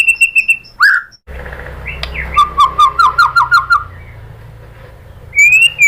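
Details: White-rumped shama (murai batu) lure song to provoke singing: a few whistled notes and a sweep, then a short series of about seven repeated notes, quiet stretch, and a high whistled ending.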